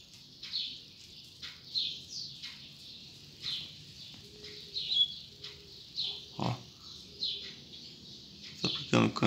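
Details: Double-collared seedeater (coleiro) singing at daybreak, short, high, clipped tutor-song phrases for young birds to learn, repeated about every second, with a few knocks and a faint low hum.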